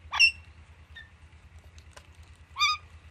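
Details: An Alexandrine parakeet, kept with Indian ringneck parrots and playing with palm fronds, gives two harsh, rasping screeches about two and a half seconds apart, with a faint chirp between, over a low steady hum.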